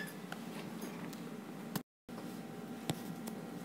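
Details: Faint room noise with a few ticks and a brief dropout to silence, no animal heard.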